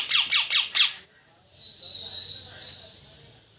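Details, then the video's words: Parrot gives four loud, harsh squawks in quick succession, then after a brief pause a long, thin, steady high chirp. "parrot Chirping sound very loud"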